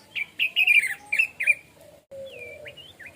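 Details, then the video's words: Anis merah, the orange-headed thrush, in easy 'plong' style song: a quick string of rich, high, slurred whistles, a brief break, then a thin drawn-out descending whistle and short chirps. "Suara Burung Anis Merah/Punglor Plong Santai"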